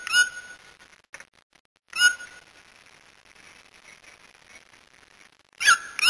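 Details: Brazilian white-throated toucan calling: a few scattered, harsh yelping notes, one near the start, one about two seconds in, and a doubled yelp at the end, with long quiet gaps and a faint steady high whine behind.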